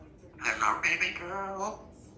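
A grey parrot chatters in a human-like voice, a quick few-syllable phrase that slides into a drawn-out, falling word.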